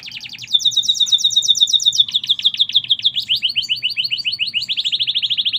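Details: Canary of merlok type singing a rapid ringing trill of bright notes held on a steady pitch, then a run of sharp chips that quickens into a dense, even high rattle.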